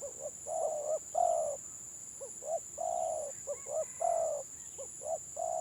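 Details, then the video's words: Village spotted doves singing 'gagap', the stuttering style, in a Gelang Patah match between two such birds: jerky short notes run into long throaty coos in quick succession, backed by a continuous high electrical whine. "BURUNG TEKUKUR GAGAP VS GAGAP"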